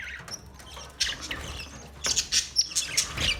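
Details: A colony of budgies gives soft, thin chirps that build into quick bright twitters in the second half, with low background rumble throughout.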